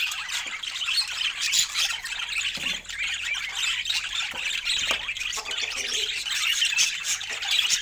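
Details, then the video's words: Fresh fruit feeding time for pet budgies, a continuous high warbling chatter of overlapping chirps and squeaks that stays steady throughout, with a few faint knocks beneath. "Cute Budgie Love and Funny Sweet Sounds During Fresh Fruit Food Time"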